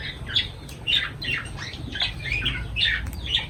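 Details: Lovebird calling while feeding: a quick series of about seven shrill, slightly rising chirps, roughly two per second, over a low steady hum.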